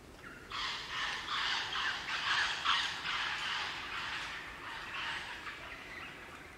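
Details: Crimson rosellas chattering as a group in the Australian bush, Barrington Tops National Park, New South Wales; a continuous harsh, rasping chatter of rapid repeated notes lasting several seconds, fading toward the end.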